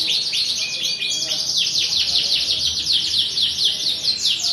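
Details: Morning canary song used to prompt other canaries to sing along: dense, rolling high trills of quickly repeated sweeping notes, one short flat whistle near the start, the song running loud and continuous throughout.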